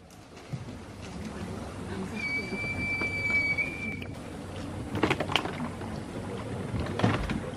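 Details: A sunbittern singing at Tortuguero, Costa Rica, gives one long, thin, steady whistle lasting about two seconds, over a low background rumble with a few scattered knocks and clatters.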